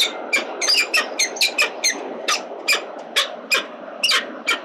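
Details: Peregrine falcon at a city-building nest with eggs, 26 August 2022, arrives with breakfast for its mate, apparently offering to take over the eggs; it gives harsh, scratchy, chipping calls, about three a second, over a faint low hum.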